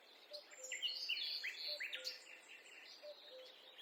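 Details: Wild birds singing in a forest during a peaceful walk: a busy overlapping chorus of quick high chirps, trills and short whistled notes, with a soft lower two-note call repeating about every second and a half beneath.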